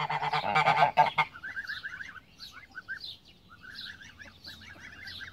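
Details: Loud, coarse honks from a Pomeranian goose, a domestic breed descended from the greylag goose, open the recording for about a second. A steady chatter of smaller birds follows, with rapid, repeated chirps.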